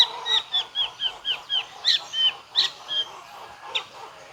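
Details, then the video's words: White-rumped shama in full song with mimicry: about eleven short slurred whistles repeated roughly every quarter second, with a few sharp clicks mixed in. "MURAI BATU FULL BONGKAR ISIAN"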